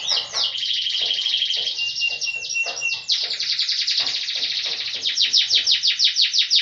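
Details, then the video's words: Yorkshire canary delivering a long rolled song, a dense continuous high trill with fast repeated pulses and a steady whistled tone, ending in sharper rhythmic strokes, with low knocking sounds beneath. "Kenari yrokshire ngerol nggulung panjaaaaang banget"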